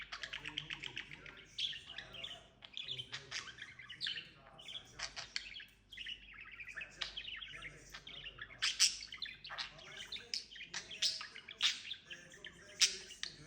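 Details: Talking pet budgerigar in long unbroken warbling, mixing buzzy trills, clicks and bright chirps at an uneven pace, with a low hum in the background.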